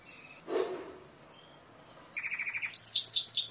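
A Timbrado canary sings a rapid run of rolled, metallic notes, then a higher, bright trill. A brief soft thump comes just before.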